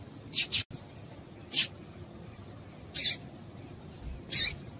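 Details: Female yellow-bellied seedeater giving calls meant to excite males into singing: five brief, high, scratchy notes spread unevenly, one closely doubled at the start and another near the end, over faint steady background hiss.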